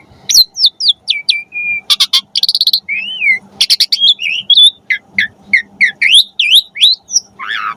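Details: Varied song of an Asian pied starling, played to teach pet birds: quick descending whistles, rattling buzzy bursts, a looping whistled phrase and many short chirps and squeaks in fast succession.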